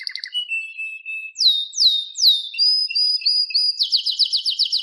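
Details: Canary song with clear slurred whistles sweeping downward, a steady held tone and a closing run of rapid repeated notes.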